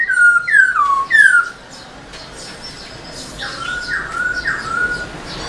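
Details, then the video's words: Black-throated laughingthrush kept in a cage, singing to excite other laughingthrushes: three loud downslurred whistles in quick succession, followed by softer, more distant falling whistles. "Khướu bạc má HÓT MÚA ĐUÔI cực sung"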